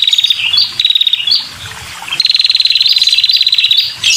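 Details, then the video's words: Red-headed prinia female in full voice to lure males: high buzzy rattles of rapid clicks, short bursts at first, then one long unbroken trill lasting nearly two seconds. "Suara Burung Prenjak‼️Kepala Merah Betina‼️Gacor dan Untuk Pikat Burung Prenjak Jantan"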